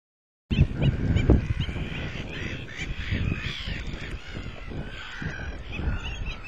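White-backed stilt giving sharp, nasal yapping notes in quick succession, several a second, over a strong low rumble of wind.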